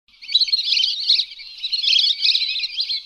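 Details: Lesser whistling duck calls used as a hunting lure: a dense, continuous chatter of high, overlapping whistled chirps, busy and steady throughout, with no other clear sounds.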